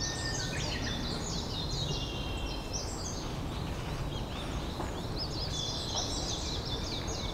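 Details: Japanese robin song, rendered as a "hin-kara-kara-kara"; high, repeated rattling phrases rise above a heavy, steady wash of background noise.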